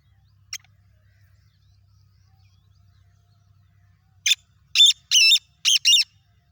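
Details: Black francolin (kala teetar) giving its whistle call: after about four seconds of near silence, a loud burst of five harsh, clipped notes, the later ones longer and ringing, delivered in quick succession.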